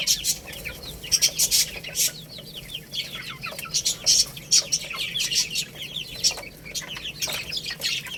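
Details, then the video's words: Several young chickens eating rice, giving a dense chorus of high, quick peeps, many sliding downward and overlapping, with sharp clicking taps scattered throughout. "Beautiful Little Chicks Chirping Sounds"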